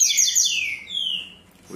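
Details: Double-collared seedeater in tui-tui zel-zel song style, breeder's bird on 5 December at 8 a.m.: loud high descending whistled slurs stretching over a second, followed by a man beginning to speak.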